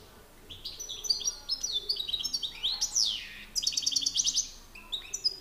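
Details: European goldfinch males in a singing contest, an excited bird against a master singer: fast twittering song of high tinkling notes, buzzy trills and sweeping slurs, with a loud rising-falling burst mid-phrase.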